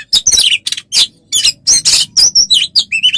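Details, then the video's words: Oriental magpie-robin tutor song for training caged birds: a rapid, varied run of high whistled and buzzy notes with harsh chattering bursts, delivered almost without pause over three seconds. "Masteran untuk burung Kacer"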